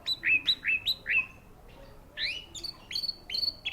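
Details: Orange-headed thrush at a contest ring repeating loud rising whistled notes about four times a second, then a pause before more upslurred whistles and sharp chips.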